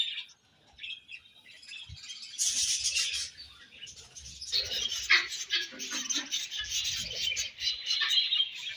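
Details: A dense, chattering wash of high budgie chirps and scratchy warbles while the birds eat, building after a quieter start, with light fluttering and rustling.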